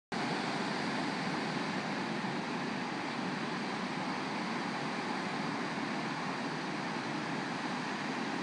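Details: Continuous loud rushing noise like wind, surf or engine, with no animal call audible.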